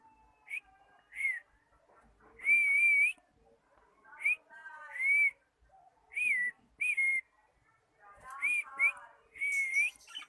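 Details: A cockatiel learning to sing gives short rising-and-falling whistles, some drawn out into wavering phrases, in bursts about every second with brief silences between; fainter lower warbling notes sit underneath.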